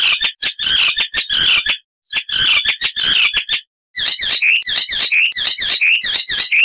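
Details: Icterine warbler song rich in variation: grating chattered phrases separated by short breaks, then a run of sharp notes, each ending in a clear dropping whistle.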